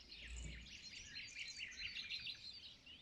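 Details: Birds singing at sunrise: dense, overlapping high chirps and twitters in quick succession throughout, with a brief low rumble near the start.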